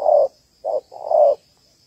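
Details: Spotted dove hen, Malaysian type, calling to stimulate males as a trapping decoy. A long coo, a brief clipped note, then another long mellow coo within two seconds.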